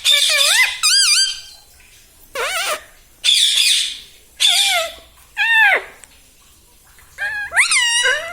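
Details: Pet parrot at home, said to talk and say 'mummy papa', repeats loud, nasal, word-like calls with falling-rising pitch, roughly one burst every second or two, separated by silent gaps.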